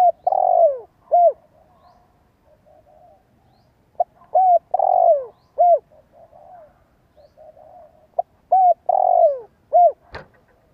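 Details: Decoy spotted dove calling so that other birds respond. Repeated phrases pair a smooth descending coo with short clipped notes, and softer low murmurs fill the pauses. A sharp click is heard near the end.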